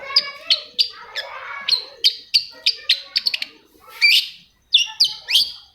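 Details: Long-tailed shrike song played to provoke silent shrikes into singing: sharp high chirps and short downslurred notes repeated about every half second, a brief pause, then a quicker burst of clipped whistles, over faint low warbling.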